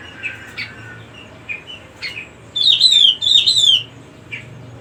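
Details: Cucak rumbai singing: a few soft chirps, then two loud bursts of rapid, twisting, warbled high notes about a second long, followed by a short chirp. A low hum runs underneath.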